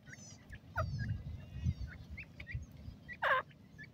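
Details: Grey francolin calling in a forest setting, a loud harsh harmonic burst near the end standing out over scattered short chirps from other birds and a steady low rumble of background noise.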